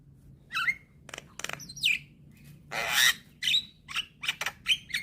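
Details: Young, very vocal Javan myna singing, used to coax silent mynas into calling: harsh squawks mixed with short rising whistles and noisy bursts, irregular, about one note each second.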